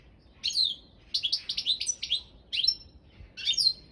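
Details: European goldfinch (balcanica) in a world championship of goldfinch song judged online through a Serbian association. Clear bursts of chirpy, liquid twittering notes, several in quick succession, separated by short silences.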